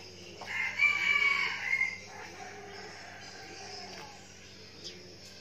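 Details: Red junglefowl used as a decoy, said to crow often, recorded in Vietnam's Bình Phước province: one rough, strained crow of roughly a second and a half, trailing off into quiet with faint distant chirps.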